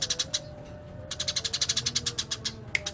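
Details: Eurasian tree sparrow singing actively: dense, rapid chains of sharp, dry chirps, about four per second, pausing briefly before resuming, with one bright click and a faint tonal hum.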